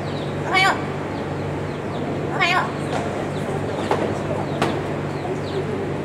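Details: Two short, harsh, wavering squawks about two seconds apart from a yellow-crowned amazon at a tropical animal facility, a bird that greets visitors with "good morning"; faint clicks and low background hum.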